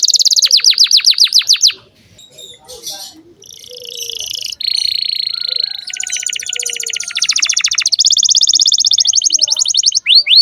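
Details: Canary singing to train young canaries: a quick series of falling notes, a short quiet gap with scattered chips, then long buzzy rolling trills at varied pitches.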